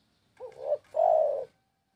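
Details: {'text': 'Spotted dove coo phrase: a quick warbled two-part opening note, a short gap, then a long, smooth, level coo, with a quiet setting.'}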